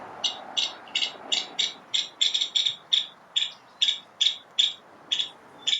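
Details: Nuttall's woodpecker, a non-migratory year-round resident of oak woodland at Coto de Caza, gives a run of harsh, dry, high rattling notes, about two or three per second, in short bursts with a faint hiss behind.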